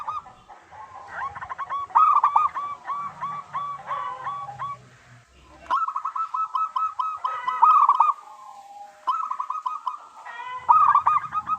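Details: Local zebra dove in full song, used as a lure to prompt other doves to sing: several bouts of quick, rolling cooing notes in fast trilled runs, separated by short pauses and one near-silent gap.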